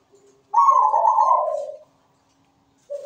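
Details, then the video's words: Perkutut, or zebra dove, in lively song. A single rolling, mellow coo lasts over a second and slides slightly downward, then a quiet pause, and the next coo begins. "PERKUTUT GACOR SUARA MERDU"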